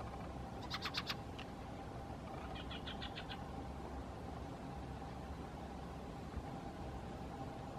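Common Kingfisher giving two quick bursts of shrill, high piping notes, four to five in each run, over steady low rumble and hum.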